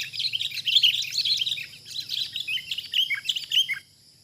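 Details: Wild sooty-headed bulbul during trapping, facing a decoy bird: loud, busy chirping with sharp liquid notes in irregular bursts, fading out into quiet in the last half second.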